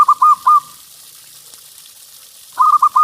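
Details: Zebra dove of local stock, kept for its big voice and played to coax other perkutut into song: two short phrases of three rapid, hooked coos with a quiet gap between, faint background hiss.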